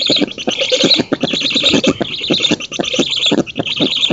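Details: Nest-cam sound from black storks in an oak in Poland, 19 June 2017, as the female feeds and an intruder is chased off; a steady hoarse hiss threaded with quick, evenly spaced rasping beats.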